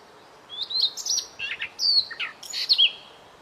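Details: White-rumped shama song in a masteran tutor recording: a quick run of varied high whistles, some sliding down, others rising, mixed with short buzzy notes, all in about three seconds over faint background hiss.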